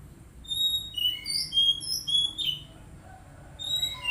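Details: Oriental magpie-robin singing in a therapy recording for untrained birds: a quick sequence of varied whistled notes over two seconds, then a pause and a few fresh whistles.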